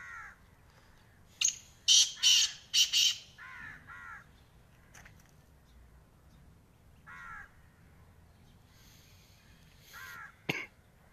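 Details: Black francolin calling: a harsh harmonic note, then four loud, raspy, broadband bursts in quick succession and two closing harmonic notes, followed later by another partial phrase and a sharp click.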